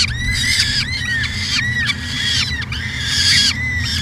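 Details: Grating repeated wails from a peregrine falcon at a 2017 nest camera, University of Alberta, Edmonton, Canada; short harsh arched notes run in quick series with short gaps, accompanied by a persistent low background hum.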